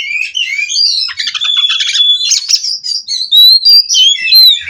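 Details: Nonstop rolling ngerol song from a captive-bred Cirebon Oriental magpie-robin (kacer): buzzy rattling trills mixed with pure sustained whistles and rising slurred notes, loud and continuous.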